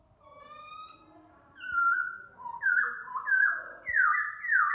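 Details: Laughingthrush singing and dancing in the morning, giving loud, rich whistled phrases that slide downward, in rising and falling steps, with faint softer notes and a low background rumble.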